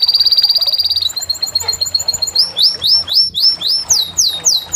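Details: Canary singing a rapid high rattle that breaks into loud, upswept whistled notes repeated roughly three times a second, with a faint low hum beneath.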